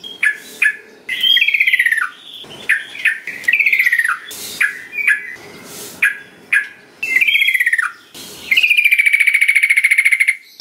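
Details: Yellow-vented bulbul lure song: a quick series of sharp chips and downward buzzy phrases, ending in a long, steady, pulsed trill held for about two seconds.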